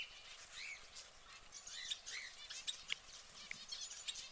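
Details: An orange canary in a cage makes scattered high chirps and short rising and falling notes. The calls are softer here and come at irregular intervals over a steady background hiss.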